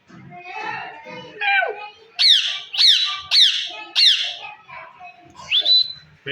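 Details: Indian ring-necked parrot, a pet that talks, makes soft garbled speech-like chatter, then four loud harsh descending squawks roughly every 0.6 seconds and a final rising whistle held steady.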